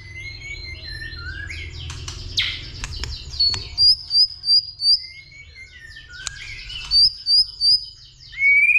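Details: Fighting song of a white-rumped shama stimulated by a female, tail flicking and calling 'tạch' nonstop, 'dìu bổi' style. Soft whistled phrases and clicks, then two bursts of four to five very high, bright, repeated notes.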